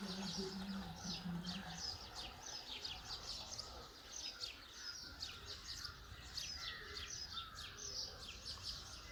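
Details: Birds chirping in the early morning near Ooty in the Nilgiri hills, India: a dense chorus of rapid high twittering notes from several birds, over a steady background hiss and a brief low hum at the start.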